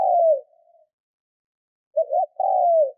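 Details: Decoy spotted dove in training, 'Thúc' style coo meant to excite wild doves; the tail of one long descending coo, a pause, then a full phrase of two short notes and a sustained mellow coo.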